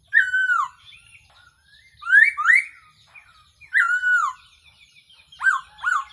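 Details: Trapping decoy sound of the Black-throated laughingthrush: rich, downward-curving whistles alternate with paired rising whistles, spaced by short silences, ending with two bent notes close together.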